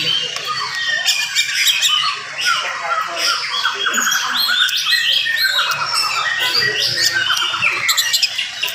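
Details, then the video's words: Oriental magpie-robin singing in the morning at fast, dense pace to rouse other magpie-robins; busy stream of chattering, scratchy and whistled notes high-pitched, with low murmuring voices of people underneath. "SUARA KACER GACOR DIPAGI HARI SPEED RAPAT cocok untuk naikin emosi kacer yang dengar"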